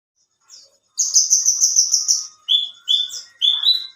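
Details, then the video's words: Caged alinea-type Horsfield's bush lark kept for singing competitions, in full song: a brief soft note, then a rapid run of buzzy high chirps, followed by three loud slurred whistles, the last rising. "Burung branjangan alinea gacor"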